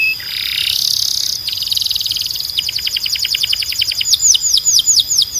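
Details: Canary singing a loud, clear song: a buzzy trill, then rapid repeated notes speeding into a fast rattling roll, ending in a series of sweeping down-slurred whistles.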